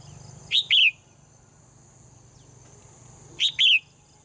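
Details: Caged female bird in Thailand, heard singing every morning: paired sharp chirps, a short high note then a longer downslurred one, repeated about three seconds later, with a constant high-pitched hiss and low hum behind.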